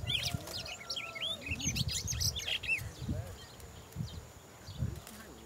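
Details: Red-cowled cardinal, recorded during a free-catching ambush; bright chirps and twittering whistled notes cluster densely over the first three seconds, then thin out, over low rumbling thumps and handling noise.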